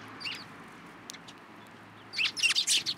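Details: Sparrows at a Tenmangu shrine in Japan on 9 April 2023, coming onto a hand to be fed; one short high chirp, a near-silent stretch, then a dense flurry of overlapping sharp chirps.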